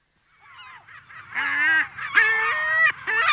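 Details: Adult lesser black-backed gull at close range giving long calls: harsh, nasal, wailing notes with rich harmonics, starting faint and building into loud, drawn-out cries, some falling in pitch, in a rapid irregular series.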